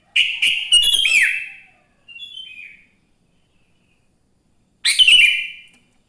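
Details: Sooty-headed bulbul morning song, used to make other bulbuls start singing: a rapid stuttering run of slurred whistles, a soft warble, a pause, then another loud bubbly phrase.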